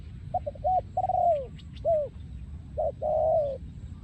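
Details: Singing breeding male spotted dove (2023), song style โยนคูอ่าង: three quick clipped notes lead into a long descending coo, a separate arched coo, then a double note and a sustained, slightly wavering coo over steady low noise.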